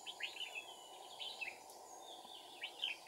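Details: Red-whiskered bulbul used as a decoy bird during trapping, crested, recorded 2 April 2019; rapid bright chirping and warbled notes repeated densely over steady background hum.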